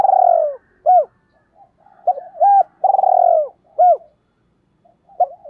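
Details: Spotted dove cooing used as a decoy to lure doves; deep, rich coos alternating a long falling note with short looping notes, the phrase repeated twice, in a clean, quiet setting.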